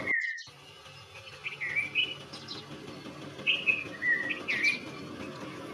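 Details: Red-vented bulbul calling: after a brief opening note and a sudden cut, a series of short chirpy whistled phrases, some rising and some falling, spaced roughly a second apart over a low hum.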